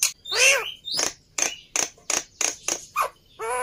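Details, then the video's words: Agitated Black-winged myna fighter, used to train mute starlings, uttering a few loud harsh nasal squawks spaced roughly every quarter second, with a drawn-out raspy note at the start. "Burung Jalak Putih fighter Emosi Nya kelewatan || Cocok Untuk Masteran Jalak Bisu"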